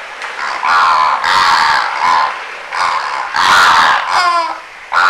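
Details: Immature greater flamingos in winter, recorded 25 January 2022 at a very noisy bird observatory in Aiguamolls Natural Park, Spain; loud goose-like honking calls in overlapping bursts, many birds calling at once.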